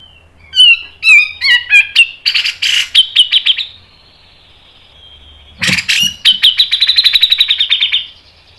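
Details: Grey-cheeked bulbul (cucak jenggot) song in the mbeset ngepik nembak panjang style: harsh, sliding notes, then a rapid run of loud chattering pulses, a pause, and another fast rattling burst ending in a sustained high note.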